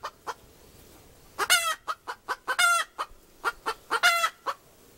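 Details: Hen's rhythmic cackle, with evenly spaced short clucks punctuated by three harsh, stretched squawks in quick succession, recorded fairly cleanly with little background noise.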